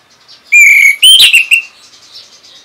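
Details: Orange-headed thrush, a training bird from North Bali meant to get other birds singing, gives one smooth level whistle followed by a brief burst of higher, twisting notes.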